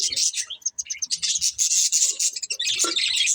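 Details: Breeding pair of budgerigars chirping: dense, rapid, high-pitched chatter of twittering notes and short squeaks, almost unbroken, with brief pauses and a slightly lower squawk near the end.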